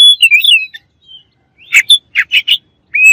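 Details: Oriental magpie-robin song aimed at provoking opponents: a rippling, wavy whistle, a pause, then several harsh, buzzy chips and a final rising, clear whistle.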